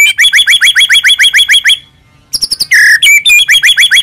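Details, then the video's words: White-rumped shama in a full-isian masteran recording: a steady rapid train of chipping upslurred notes about three per second, a short gap, then a rich buzzy note and the chipping series resuming. "MASTERAN MEWAH MURAI BATU FULL ISIAN"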